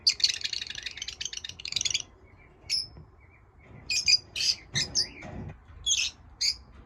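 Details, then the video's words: Indoor lovebirds kept as pets give dense, scratchy high chatter for two seconds, followed by separate piercing chirps spaced through the rest. "My love birds chirping"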